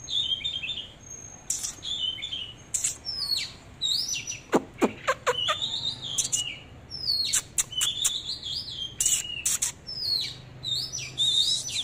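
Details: A displaying Oriental magpie-robin pours out a long, rich, varied song: bending whistles, sharp clicks and snaps, upslurred and downslurred notes, and chattering runs with scarcely a pause.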